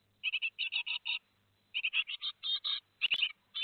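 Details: Great tit nestlings in a nest box at Théding, 15 July 2020, two days before fledging: harsh, raspy chirps in quick clusters of three to five, with a pause mid-clip and a sharp click near the end.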